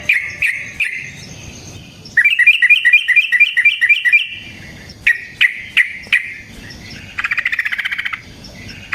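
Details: Yellow-vented bulbul lure song: a few separate chirps, then a fast rolled string of bouncing notes lasting about two seconds, more single sharp notes, and a final short buzzy trill.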